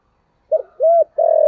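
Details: Spotted dove giving thổ-style coos meant to lure wild doves: three low notes, a short one, a rounded arched one, then a sustained steady coo, with no other sounds.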